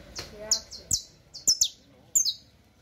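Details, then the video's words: Saffron finch song for teaching young birds: sharp, bright chipped notes sliding downward, given singly and in quick pairs at uneven intervals, with faint low murmuring at the start. "El Mejor CANTO De CANARIO CRIOLLO Para Enseñar"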